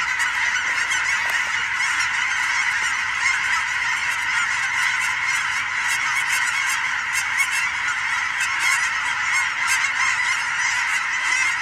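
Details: Fall evening flyover in Oregon of huge migrating goose flocks mixed with sandhill cranes; countless honking voices layered into a continuous, even roar of calls throughout.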